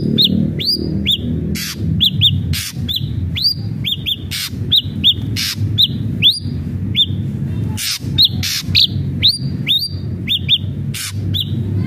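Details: Energetic ashy drongo song, a lure to start captive birds singing: sharp upslurred whistled notes in pairs and short groups, broken by loud harsh rasping bursts, with steady low background hum.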